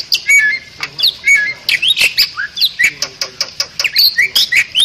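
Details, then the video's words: Bali myna song used to train other songbirds: quick, evenly spaced bursts of high chirps, short slurred whistles and dry clicks, repeated steadily with brief gaps between phrases. "Ocehan Burung Jalak Bali"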